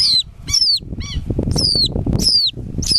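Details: Southern lapwing chick, picked up by hand and later released back to nature, gives thin high whistled peeps that slide downward, about six in three seconds, with loud rustling handling noise underneath.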